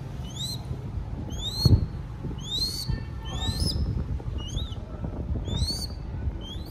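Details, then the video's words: Crested goshawk chick in Cambodia begs for food with repeated shrill, upslurred whistled cries, about eight in close sequence, plus a soft bump and background rumble. "Feeding Baby Crested Goshawk"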